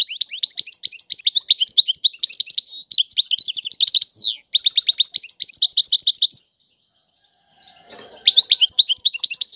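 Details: European goldfinch singing a song in the style locally called tiwawati: rapid, dense twittering of short high notes and buzzy trills, nearly continuous for six seconds, then a brief pause before the rapid chatter resumes.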